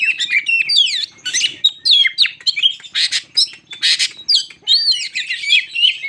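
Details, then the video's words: Crested magpie-robin singing as a lure to excite other birds: rapid varied whistles, sweeping slurs and loud harsh bursts, with a faint low hum underneath. "Burung Kacer jambul lagi teler pancingan Kacer bikin emosi burung bahan"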